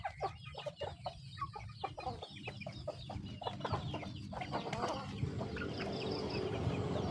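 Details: Chickens eating. Rapid irregular pecking taps mix with soft clucks and thin peeps, over a steady low rumble that grows louder toward the end.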